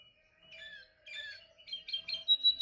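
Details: Canary singing during training practice: soft warbled phrases after a pause, building into louder quick chirps and a bright sustained whistle at the end, with a faint steady hum behind.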